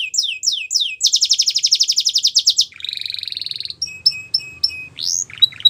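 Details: Canary song made of swept whistled notes leading into a fast rattling trill, then a lower buzzy roll, spaced short chirps and a rising whistle near the close.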